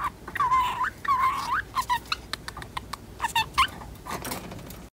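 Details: Pet female budgerigar aged ten months imitating the chatter of a second budgerigar: wavering, rising speech-like phrases, then a quick series of clicks and short warbles indoors.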